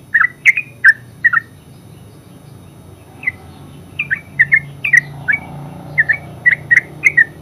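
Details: Yellow-vented bulbul (terucuk) with ngeropel song: quick chirps at first, a quiet gap of about two seconds, then the fast, bubbly chirping resumes in short pairs.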